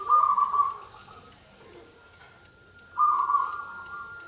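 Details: Local zebra dove giving two short bursts of trilled, low cooing separated by a silent gap, over a constant faint electronic hum.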